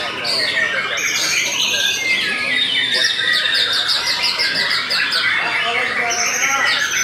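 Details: A Belanda white-rumped shama delivers loud, complex song with fast trills, ringing whistles and clicking chirps, continuous throughout, over faint low murmuring.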